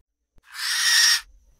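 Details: A Barn Owl in São Miguel do Iguaçu, Paraná, Brazil, where it occurs in the city, gives a single harsh, hissing screech lasting under a second, broad and rasping with no clear pitch; nothing else is heard.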